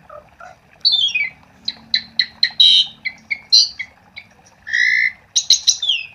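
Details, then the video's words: Vigorous song of an Asian pied starling, used to coax silent starlings into song: a descending slur, then rapid harsh clicks and buzzy notes mixed with short whistles, ending in rising and falling sweeps. "Suara Jalak Suren Gacor untuk Pancingan"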